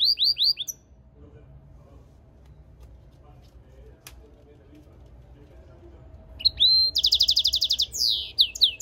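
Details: European goldfinch and canary mule singing: a short burst of high descending chirps, then about five quiet seconds, then a loud run of rapid buzzy trills and upward-sweeping whistles.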